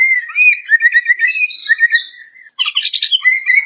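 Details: White-crowned shama song variation for training other songbirds: continuous rich warbling with whistled slurs and scratchy notes, a brief pause, then dense buzzy chatter returning to clear whistles.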